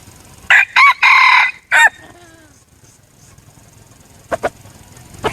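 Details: Red junglefowl decoy bird crowing: four loud, harsh, rasping syllables in a quick phrase lasting just over a second, the last cut short. A few faint clicks and short knocks follow in a quiet background.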